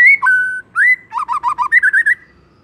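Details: White-rumped shama, morning song: a long clear whistle, then a held level note, followed by a fast run of short looping whistles climbing slightly in pitch.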